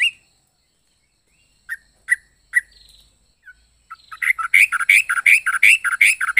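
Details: Yellow-vented bulbul in an unusual, varied song. A few spaced, sharp chirps with long silent gaps lead into a loud, rapid burst of rich, bubbling notes packed tightly together.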